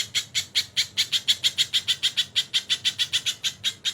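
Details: Crested jay tutor recording with kingfisher call fills: a fast, steady run of harsh, rasping notes, about five a second, each a short broad burst, with no other sounds.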